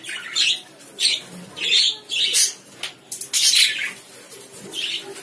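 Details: Several lovebirds call with loud, grating, high chirps in irregular clusters, some overlapping, before fading to quieter twittering.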